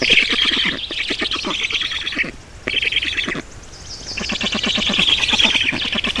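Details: Feeding time at an Estonian black stork nest, 18 June 2019: bursts of rapid, harsh high-pitched squealing broken by short pauses, with quick rattling pulses and lower clicks between the bursts.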